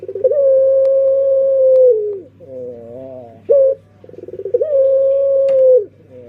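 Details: Dove singing in a repeated pattern: a long, level, resonant coo, a softer wavering note, a short clipped coo, then another long sustained coo. A steady low hum sits in the background.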